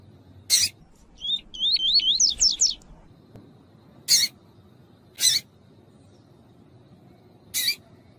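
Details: Double-collared seedeater (Sporophila caerulescens) song with a female's call used to warm up a male: a quick run of high, rising, zigzag whistled notes in a short warbled phrase, with sharp, sudden chip calls every second or two.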